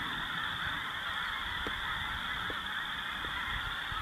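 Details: Spring-migrating snow geese feeding and loafing on Dakota prairie alongside blues, Ross's geese and other waterfowl; a distant, unbroken wall of blended honks from a big flock, with a few soft clicks and faint low wind.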